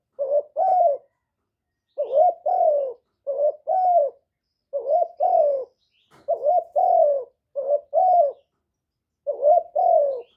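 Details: Decoy spotted dove, recorded close up without background noise, repeating low two-note coos, a quick rising note then a longer sliding hoot. The pairs come in steady succession, about seven over ten seconds.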